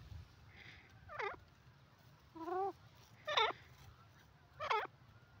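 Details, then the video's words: Francolin, called desi or dakhni teetar, giving four separate ringing calls with curling, stacked notes spaced about a second apart, against a faint low hum. "desi teetar ki awaaz best dakhni teetar sound pheasant ki boli"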